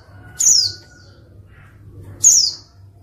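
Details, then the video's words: Two thin, high downward-slurred notes nearly two seconds apart, given by a female white-eye to stir lazy males into song; a faint steady tone and low background hum run underneath. "pleci betina untuk pancingan pleci malas bunyi"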